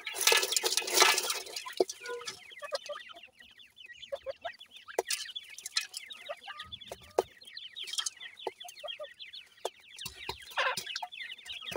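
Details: Sindhi grey francolin chicks feeding. The clip opens with a loud rustling noise, then many high, quick, down-slurred peeps overlap steadily, joined by occasional knocks and clicks.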